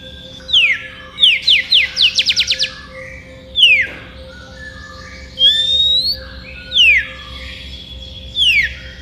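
An Oriental magpie-robin sings clear, falling whistles and a quick run of bright notes, challenging a rival.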